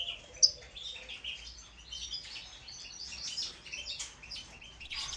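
A goldfinch mule sings a fast, unbroken stream of high, tinkling twitters and buzzy trills, with bright chirps scattered through it and little else heard.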